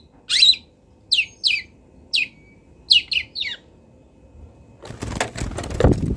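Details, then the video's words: Local long-tailed shrike from Kendal, master recording for training birds: sharp downward-slurred chips at irregular intervals, ending in a loud broadband rustling noise. "MASTERAN CENDET TROTOL BELAJAR BUNYI | CENDET LOKAL KENDAL"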